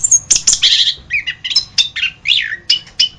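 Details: Orange-headed thrush song used as a training master: sharp piercing notes, then rapid fluty slurred phrases rising and falling, delivered in quick, evenly spaced bursts.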